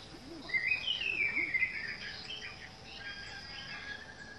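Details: In a garden, an orange-headed thrush gives a brief run of bright, slurred whistles that drop in pitch, then fades into a background insect drone with faint lower chirps.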